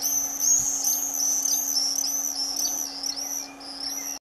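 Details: Several Common swifts flying in, recorded 5 June 2022 in Dannenberg (Elbe), Germany, in summer: shrill, high screams in quick overlapping bursts, calling almost without pause, over a steady low hum.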